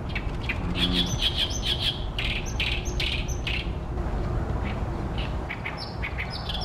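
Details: Loud song of an Oriental great reed warbler in late May 2020 at Ashiya, Japan, perched in tall tree branches facing a reedy pond where the species breeds each year. Grating, chattering phrases repeat quickly at first, then fade to softer scattered notes; steady low hum beneath.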